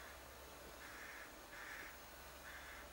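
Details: Young crow begging in a cherry tree outside a window: three faint, harsh, drawn-out calls roughly every 0.8 seconds, set against a steady low background hum.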